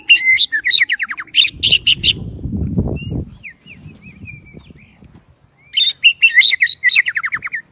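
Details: White-rumped shama from Daklak singing in the windy season: rapid bursts of crisp repeated notes and falling whistles, a gap filled by a loud low rumble with soft whistled notes, then another rapid chattering phrase.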